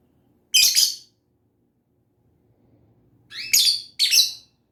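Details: Lovebird singing and chirping. Sharp, harsh, high chirps come singly, then after a pause as a quick pair, in a quiet setting.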